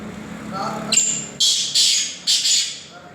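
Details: Sindhi black francolin (kala teetar), described as a speeder bird, giving loud harsh grating bursts in two paired phrases around the middle of the clip, with faint talking before.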